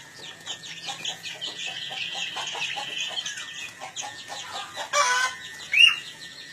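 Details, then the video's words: Long-tailed shrike in full, lively song and ready to be pitted in a fight: a dense, busy stream of sharp chattering and squeaky notes, with a louder burst near the end. Faint background hiss. "Burung sirtu Gacor Siap di Adu"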